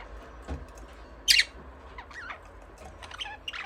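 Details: Budgerigars chirping: one loud harsh squawk, then a run of softer twisting warbled chirps over low background hum.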